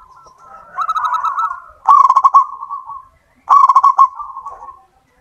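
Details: Local wild zebra dove in vigorous song, recorded as a lure: three rolling phrases of fast pulsed coos, each trailing into a softer held note, the later two louder and sharper in attack.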